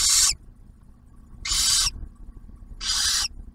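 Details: Barn owl at a nest box camera near Oak Harbor, Ohio, where the male delivers food and the female shares a meal with the first hatched owlet; three harsh, breathy hisses, each about a third of a second, roughly every 1.4 seconds.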